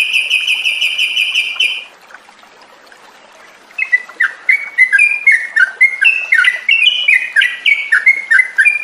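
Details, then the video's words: Sooty-headed bulbul song used as a lure recording to coax captive bulbuls into singing continuously. A steady, pulsed, harmonic-rich tone opens the recording, followed by a short silence and then quick, chattering, warbled phrases of rising and falling notes. "SUARA PANCINGAN TRUCUKAN AGAR BUNYI DAN NGROPEL"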